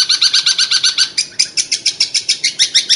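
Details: Steady run of rapid, repeated chirping notes from a long-tailed shrike in unique 'tembakan' style, about six per second, each buzzy and even, with a brief change of note pattern midway.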